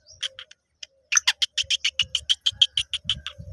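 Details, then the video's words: Black francolin, locally called Kala Teetar: a fast series of sharp, harsh clicking notes, roughly three per second, after a few scattered opening ticks, with soft low thumps beneath. "Kala Teetar Gangas Nasal Black Franclion Voice"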